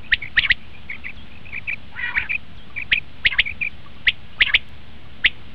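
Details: Common quail call used for quail hunting: sharp, high clipped notes in quick groups of two or three, repeated at irregular intervals, with softer chattering notes between and a low background hum.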